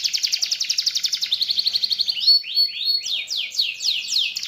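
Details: Contest canary singing high, rapid trills: a fast pulsed roll of evenly spaced notes for two seconds, then a series of sweeping slurred notes rising and falling, about four per second.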